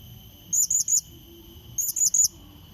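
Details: Two rapid triplets of high, squeaky, rising notes from a blue-crowned hanging parrot, a lure call to draw a rival, over a faint steady drone.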